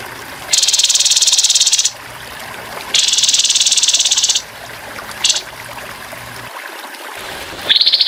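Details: Grey-headed babbler giving rough rattling bursts, the 'tembakan kasar' style, recorded with running water to help birds learn: two long buzzy rattles, one short burst, then a rising pulsed trill starting.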